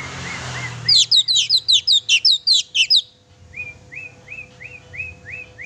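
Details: Song of an oriental magpie-robin meant to rouse a pet bird's temper: a two-second volley of rapid, high, sharp chirps, then a softer string of brief upward-sliding whistles repeated about every quarter second.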